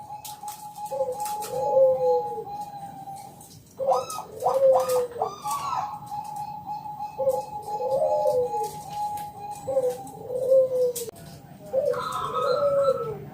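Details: Local zebra dove singing in the ngalun kung bulat style, used as a lure to make other doves sing: soft arched coos repeated in short phrases over a steady high hum, with brief rapid chirpy notes near the middle.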